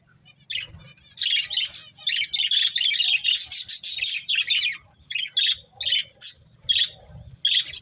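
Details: Breeding pair of budgerigars warbling in long scratchy, chattering phrases, then breaking into short separate chirps roughly every half second, all high and rasping.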